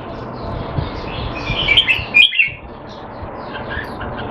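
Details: Caged Red-whiskered bulbul kept in Singapore, in training to keep sharp while out of form, recorded 25 December 2020; a brief burst of bright, quick chirping notes rises midway over a constant loud background hiss.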